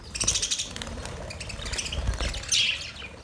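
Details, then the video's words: Budgies giving a mating sound: busy high twittering and short squeaks, with a louder whistled note rising near the end, over some low background noise. "Budgies matting sound"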